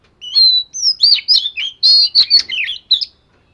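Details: Daily voice-training song of an Oriental magpie-robin: about a dozen quick syllables in rapid sequence, mixing clear whistles, downslurred notes and rough, buzzy chirps, loud and clean throughout.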